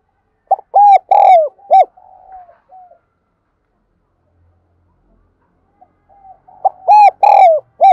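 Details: Spotted dove used as a decoy, calling to draw in wild birds: a phrase of short then drawn-out hollow coos with soft trailing notes, a pause of several seconds, then the phrase again.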